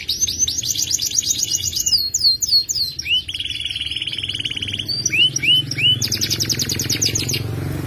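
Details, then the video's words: F2 YS canary singing a long trill: high rapid buzzy rolls, a series of slurred whistled notes, a sustained lower rattling trill, short rising whistles, then another high fast trill. "Kenari F2 YS gacor ngerek panjang, suara tajam mewah"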